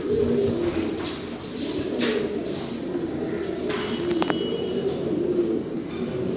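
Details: Fancy pigeons, a domestic form of the rock dove, cooing together: several low, throaty rolling coos overlap throughout, with a few brief sharper clicks in the background.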